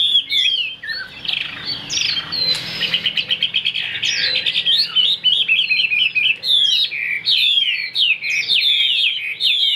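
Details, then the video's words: A caged, well-tamed Chinese hwamei sings a loud, rich, varied song of clear whistles, slurred phrases and rapid trills, high-pitched and nearly unbroken throughout. "hót cực tốt, đuôi lá vả, hót cao cầu"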